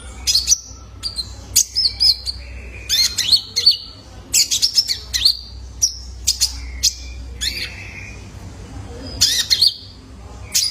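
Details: Young male Van Hasselt's sunbird as a lure for caged birds: scattered bursts of piercing high chirps and squeaky slurred notes, separated by short quiet gaps.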